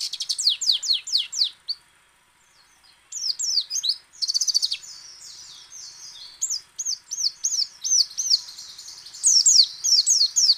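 A white-eye sings rapid, high, sweet chattering phrases of quick down-slurred and twisting notes, pausing briefly before bursting into fresh runs.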